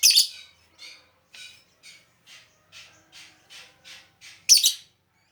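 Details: Lovebird luring calls open and close with loud grating shrieks, with a steady series of softer, rasping chatter notes about every half second between them.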